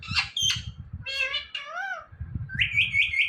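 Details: Talking Indian ringneck parrot mixes short harsh notes, a buzzy syllable and a swooping meow-like call, ending in a run of quick high whistled chirps, with low room noise throughout.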